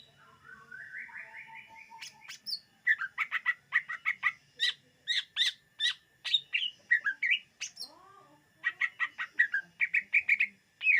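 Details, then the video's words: Lure recording of a greater green leafbird: a rising buzzy trill opens a long, rapid series of sharp chirps and varied whistles, with a short lower warbled passage midway. "SUARA BURUNG CUCAK IJO UNTUK PEMIKAT DIJAMIN TERPIKAT"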